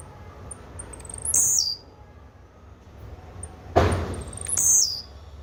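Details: Blue-black grassquit gives two short buzzy songs about three seconds apart, each led by tiny high ticks and falling in pitch. A dull thump sounds just before the second.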